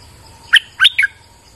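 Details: Bulbul in rainy weather delivering a brisk three-note phrase: a sharp first note, then two fuller slurred whistles that drop in pitch, against a faint steady whine.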